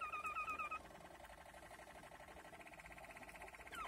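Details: Malinois Waterslager canary recorded in 2020, singing low, deep rolling trills: a quick series of bubbling looped notes, then steadier rapid pulsed rolls that repeat almost three times a second, with a final falling slur.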